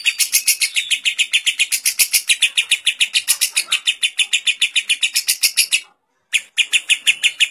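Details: Fast lovebird ngekek for training other lovebirds: rapid, shrill, buzzy notes at roughly three and a half per second, cut by a short silence before the chatter resumes.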